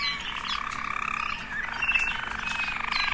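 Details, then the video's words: Waterslager canary song from one of several different birds: a rolling, bubbling trill that shifts pitch, moving from a steady lower warble into a faster pulsed rattle, with low background hum. "Potpourri of Waterslager canary songs"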